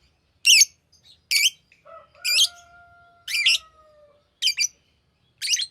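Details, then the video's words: Green lovebird chirping: loud, high, harsh chirps repeated about once a second, with a soft steady whistle-like tone sounding underneath for a few seconds. "Green Lovebird Chirping Sound"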